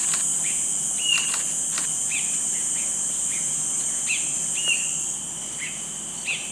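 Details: A talkative cinereous bulbul in Singapore, a rare non-breeding visitor there, calls non-stop in short, bright slurred notes, one or two a second, with its partner heard intermittently, over a steady high insect drone.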